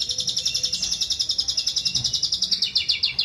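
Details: Jalak suren, the Asian pied starling, copying other birds' voices with a sustained, rapid, shrill pulsed trill, very regular, about eight pulses each second, slightly wavering in pitch toward the end.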